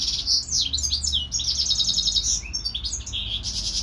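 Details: European goldfinch kept in captivity with a hybrid songbird; brief, dense run of liquid twitters, sweeping notes and a buzzy trill.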